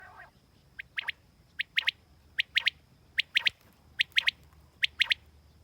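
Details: Quail calling clearly and alone: sharp, bright notes in quick pairs or triplets, each group repeated about every 0.8 seconds over a quiet background with a faint steady high hum.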